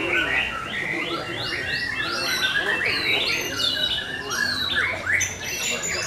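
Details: White-rumped shamas singing at a competition, session four: a dense tangle of overlapping whistled phrases, rapid upslurred notes and sharp trills from several birds at once, with faint background chatter.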